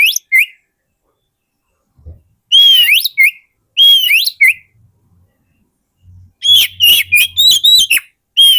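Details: Oriental magpie-robin song for luring wild magpie-robins: repeated whistled phrases, each a level note rising into a sweep, then a fast run of varied chirps and whistles near the end, with a faint low hum.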